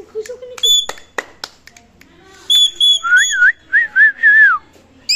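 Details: Pet parrot talking and whistling indoors: short clipped voice-like sounds, then a series of clear warbling whistled notes rising and falling in wavy loops, a person speaking briefly nearby.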